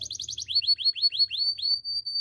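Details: Training song of a Belgian canary in the morning: quick chirps give way to a run of upward-slurred whistled notes repeated about four per second, ending in a sustained high whistle.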